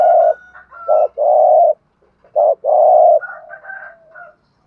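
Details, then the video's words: Decoy spotted dove calling to lure wild doves, in the urging 'thúc gù' coo style: low, hollow coos in short and drawn-out notes, with a pause midway, and thin higher whistled tones behind. "Tiếng chim cu gáy kích bổi nhanh nổi rất nhanh nổi/ chim cu gáy mồi chai thúc gù bài bản giọng hay"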